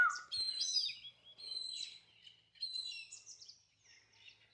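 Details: Indian grey hornbills landing in trees in the forest of Anantagiri Hills, Vikarabad, near Hyderabad, give shrill, squealing high notes in irregular bursts, some sliding and overlapping, with quiet gaps between.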